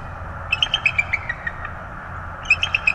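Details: Bald eagle at a Florida nest with two young chicks, 25 January 2022; a falling run of high, sharp chirps that fades out, then a brief second burst, with low background hum.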